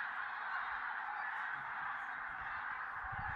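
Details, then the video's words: Common cranes at sunrise in the Tister Bauernmoor, Germany; a broad, even chorus of many distant calling birds continues throughout, and low thuds appear near the end. "Goldener Sonnenaufgang mit Kranichen im Tister Bauernmoor"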